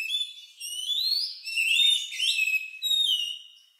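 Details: Oriental magpie-robin with a strange song resembling a lovebird, used to get other birds singing: long smooth whistles sliding up and down, blended with fainter high overtones, in one flowing phrase.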